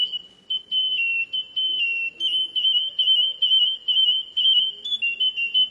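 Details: Canary singing: long sustained high whistled tones at a near-steady pitch, broken into phrases with small pitch wavers and brief gaps, over faint low room noise.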